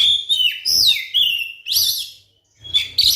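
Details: White-rumped shama song to prompt other shamas to sing: clear whistled notes sliding down, then a strong rising-falling whistle and a buzzy phrase, a short silence, then a final burst of notes.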